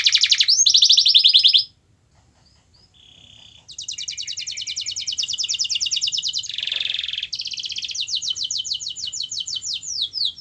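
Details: Song of a canary meant to stimulate a lazy canary into singing: a loud rolling trill, a short pause with soft notes, then long rapid rattling trills and a buzzy tone, with faint low background hum.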